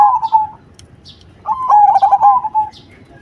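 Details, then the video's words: Cemani zebra dove singing with a big voice: a short rolling coo, then a longer trilled, warbling coo phrase near one pitch, with faint higher chirps between. "Perkutut Cemani Gacor Suara BESAR"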